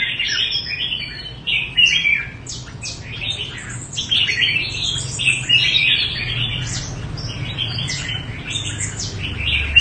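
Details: Promising red-whiskered bulbul from the Đại Quang area of Quảng Nam, Vietnam, singing rapid bright warbled phrases, chirpy notes tumbling in quick succession with short pauses, over a low steady background hum.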